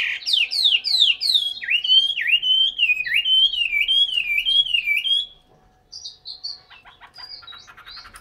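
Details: A captive Chinese hwamei in Hanoi sings loudly and richly: fast slurred whistles fall in pitch, then a wavering phrase repeats about twice a second, ending in softer varied notes.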